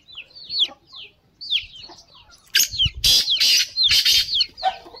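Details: Caged black francolins calling with other partridges in the morning in Kandiaro, Sindh, Pakistan, on 7 March 2023. Short downslurred whistled notes come first, then loud, harsh, rasping bursts repeated rapidly near the end.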